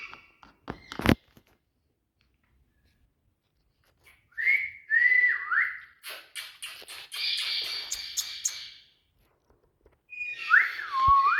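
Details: Indian ringneck parakeet, a talking bird, giving a few rising and falling whistled notes with scratchy bursts between them, separated by stretches of silence and sharp clicks.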